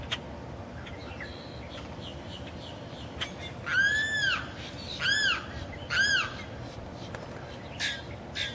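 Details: Limpkin, a male crying repeatedly to attract a mate, gives three loud, harsh, arching wails about a second apart, each rising then falling, with fainter calls before and after over a steady background hiss.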